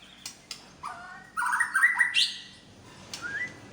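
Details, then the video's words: Medan white-rumped shama singing borrowed phrases: a few clicks, then a rich burst of warbled, rising whistles, followed by a quieter upward-slurred whistle after a pause. "BURUNG MURAI BATU MEDAN BONGKAR ISIAN"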